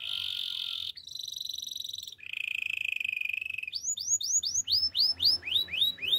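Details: Singing canary moving through several steady rolling trills at different pitches, then switching to a quick run of looping, chirping upward-curved notes repeated about five times a second.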